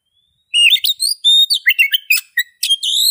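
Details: Oriental magpie-robin begins after a brief pause with a lively sequence of clear whistles, high ringing notes, downslurs and scratchy buzzes, phrases tumbling rapidly; no other sounds present.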